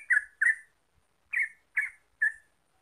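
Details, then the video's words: Yellow-vented bulbul (trucuk) lure song for making birds sing: five loud, rich chirped notes, the first two close together, then a pause before three more evenly spaced notes. "Pancingan Trucuk Biar Gacor Ropel"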